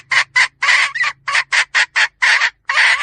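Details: Hen cackle made of loud, raspy squawks, some short and some drawn out, repeated irregularly over three seconds, with a faint low hum in the background early on.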